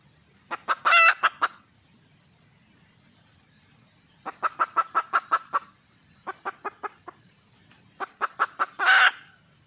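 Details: Female red junglefowl calling for a male partner in three bouts: clucks rising to a loud ragged squawk, a long even cluck series, then more clucks ending in another harsh squawk.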